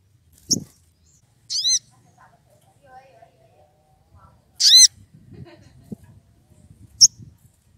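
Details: Sogon in the wild, excited and calling a rival, utters a few high, harsh, down-slurred squeals at irregular intervals, with low scattered noises between them.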